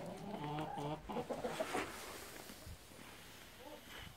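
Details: Gold Brahma chicken giving a run of harmonic, nasal clucks in the first second. Softer, broken clucks and faint calls trail off afterward.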